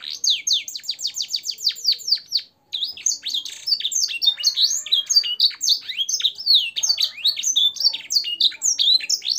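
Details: Canary song with blackthroat and sanger phrases, used to train caged birds: a quick series of sharp descending chirps, a brief break, then loud continuous high warbling.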